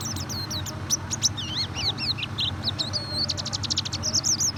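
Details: White-eye song used as a lure to coax a reluctant bird into singing: rapid high whistled warbles and slurred chirps, with bursts of fast buzzy trills near the end, over a steady low hum.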